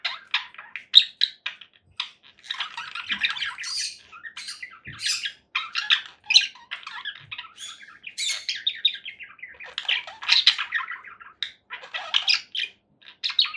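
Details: Steady chatter of a conure parakeet: rapid raspy squawks and chirps packed closely together, broken by a few short silences.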